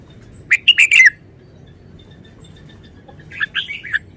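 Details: Red-whiskered bulbul kept in a cage, delivering short songs: a crisp run of four quick chirped notes, a two-second pause, then a softer answering phrase of slurred notes.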